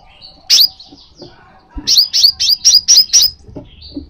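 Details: Crimson sunbird call used to prompt a kept sunbird into lively singing. One sharp, high note comes first. After a pause, a quick run of six piercing, downslurred chips follows at even spacing, with faint soft twitters around them.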